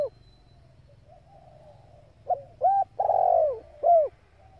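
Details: Female spotted dove calling to excite male birds in training; after a quiet stretch, one phrase of a soft lead note, a short arched coo, a long loud downward coo and a final short coo.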